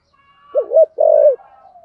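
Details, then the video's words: Single giọng thổ song phrase from a spotted dove: two quick rolling coos run into a longer, steady, hollow coo that ends with a slight fall. A faint high tone holds throughout. "cu gay giong tho cuc dinh/ chim cu gáy giọng thổ"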